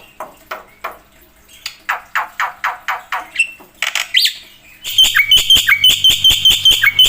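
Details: Black-winged myna singing energetically with varied inserted phrases: a series of rasping strokes, a sweeping whistle, then fast repeated bright chips with sharp clicks.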